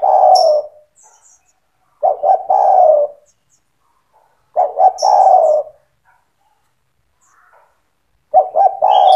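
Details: Loud spotted dove song used for training young doves: low mellow coos around two short notes then a longer drawn-out falling coo, phrases repeated every two to three seconds, with faint high chirps from other birds between phrases.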